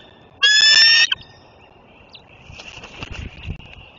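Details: Bald eagle calling at its nest, recorded 3 April 2024: one loud, shrill, harmonic burst lasting just over half a second, followed by fainter rustling and thin high chirps of small birds over a steady insect-like hiss.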